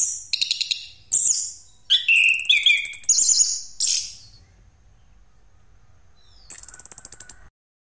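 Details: Orange-headed thrush singing in 'ngeroll' style as a lure for other birds: a few seconds of bright whistles and chattering trills, then a quiet pause, ending with a quick rattling series of clicky notes.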